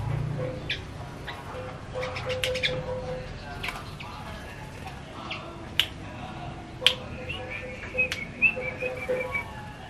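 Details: Male yellow-vented bulbul, tame, in lively ropel song: a string of sharp, high, clipped notes with some brief whistled strokes, loudest toward the second half, over a soft low background hum.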